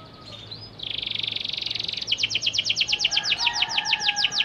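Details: Panda canary singing to coax quiet canaries into answering: a rolling buzzy trill gives way to quick, evenly repeated high down-sweeping notes, with a faint lower whistle underneath.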